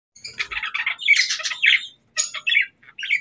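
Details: Budgerigars chirping in the morning: short squawky, buzzy chirps in quick bursts with brief gaps, a busy run of scratchy notes then rapid clipped calls, no other sounds standing out.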